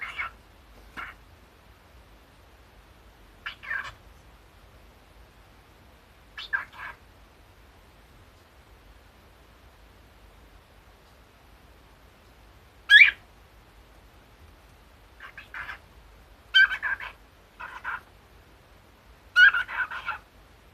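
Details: A pet cockatiel hatched in 2011, formerly a late mother-in-law's bird, mimicking her Kumamoto-dialect speech while up to mischief, chatters in brief, squeaky, slightly nasal bursts separated by pauses of several seconds.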